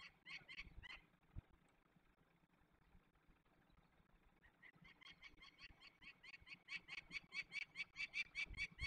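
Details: Young peregrine falcons being released in the Barycz Valley, Poland, on 27 May 2020: a brief burst of harsh, nasal repeated notes, a quiet gap, then a long run of rapid cackling calls at about two per second.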